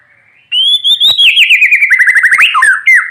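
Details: White-rumped shama in full morning song, used to stir idle shamas into singing: a loud rising whistle followed by a fast run of rippling, warbling notes that slide downward, ending in a bright whistled flourish.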